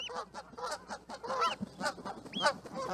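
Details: A flock of Canada geese in full chorus, many overlapping nasal honks blending into a continuous clamour, with a few clearer rising-falling honks standing out.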